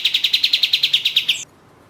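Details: Gacor katem, the orange-spotted bulbul, sung as a contest lure: about fourteen quick, bright, high notes in a tight even rhythm lasting under a second and a half, ending abruptly into quiet.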